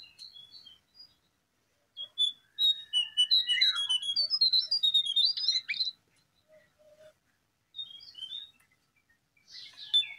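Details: Brown prinia song played as a lure: a few soft notes, then a loud fast sequence of sharp whistled and chirped notes lasting several seconds, followed by quieter scattered calls.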